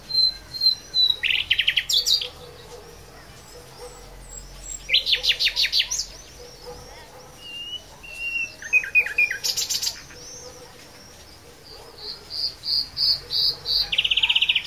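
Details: Singing blackbird: bursts of rapid high squeaky chirps alternate with thin sustained whistles and a few short, lower slurred whistled notes, with quiet gaps between phrases.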